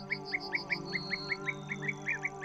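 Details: European bee-eaters calling high in the sky over cork oak woodland and open grassland give short, liquid, rolling chirps, about four a second, over a steady low musical drone.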